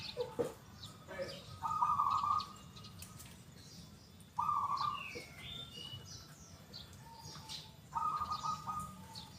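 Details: Zebra dove of the local type, singing freely with a loud, clear 'kung' voice. Three rolling, trilled coo phrases at steady pitch, separated by pauses. Soft twittering of other birds and low background hum.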